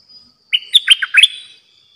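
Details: Bulbul in a cage, used as a trapping decoy, delivers one brisk, bubbly phrase of clear whistled notes: a steady first note, then rapid tumbling syllables, all over within about a second, then silence.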